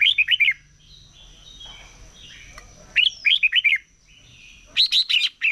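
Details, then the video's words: Red-whiskered bulbul in competition singing during the morning: three bursts of four or five quick, bright, warbled notes, separated by pauses with a faint steady high tone in the background. "Chào Mào Hót Đấu || Kích Chào Mào Hót Sáng Luyện Giọng Bổi Hót Đấu Căng Lửa"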